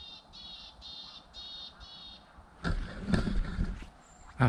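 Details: A Willow Tit calls near a lake in moorland forest on a first birding trip of early 2024: five harsh, nasal, buzzy notes in an even series, about three per second. A man then speaks over faint rustling.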